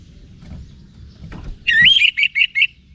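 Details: Orange-headed thrush giving one short phrase: a loud, rich whistle followed by four quick, evenly spaced notes. Soft rustling before it begins.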